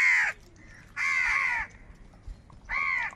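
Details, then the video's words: Angry crows gathering as a flock and fighting for food: three loud, harsh caws, the middle one longest, separated by short pauses, with faint low background noise. "Crow Birds Unity Anger and Sound | All types of Crow Sounds | কাকের ডাক Crow Sound Loudly"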